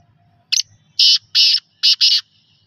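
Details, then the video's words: Local black francolin calling: a short harsh burst, then two long grating rasps, a brief pause and two more, all loud, dry and buzzy against a faint low hum. "desi kala tatter"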